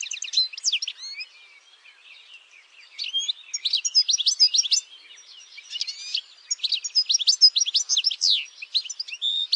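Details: Campero European goldfinch giving repeated phrases of bright, jumbled twittering notes, roughly three per second, with short pauses between bursts.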